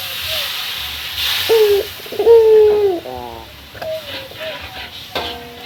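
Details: Male puter, a local Barbary dove, calling a rival: a few quieter coos, one short and one longer steady note, then softer clipped notes over a faint hiss.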